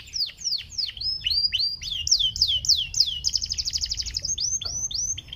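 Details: Panda canary, a caged songbird, delivering a sweet song played to encourage other canaries to sing: loud repeated downward-slurred whistles, a fast buzzing trill, then more descending notes, all high-pitched and continuous.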